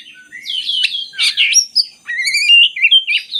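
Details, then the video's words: Oriental magpie-robin singing to prompt reluctant birds: loud, clear whistles and buzzy slurs, then a series of bright stepped whistled notes with overtones, delivered in quick succession. "suara burung kacer bagus untuk pancingan kacer malas bunyi"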